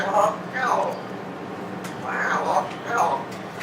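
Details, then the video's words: A pet African grey parrot that has just learned "I love you" practises it over and over, repeating the phrase in a hoarse, voice-like tone in short bursts in a quiet room. "the African Grey Parrot, says, "I Love You""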